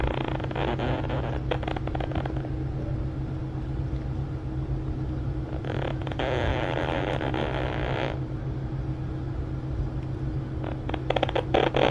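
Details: A steady low engine-like hum runs throughout, broken by bursts of rustling hiss and a few sharp clicks near the end.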